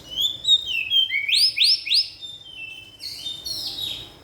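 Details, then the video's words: White-rumped shama singing mimicked phrases: high sweet whistles, then three loud rising sweeps in quick succession, followed by a rough, buzzy high flourish. "MURAI NEMBAK ISIAN"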